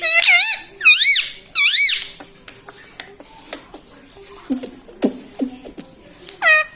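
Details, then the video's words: Pet parrot mimicking words such as mummy and papa; three loud wavering harmonic syllables at the start, then soft clinks and indoor noises, with one more syllable at the end. "Parrot talking mummypapa 🥰parrot talking sitaram 🙏parrottalkingmithu"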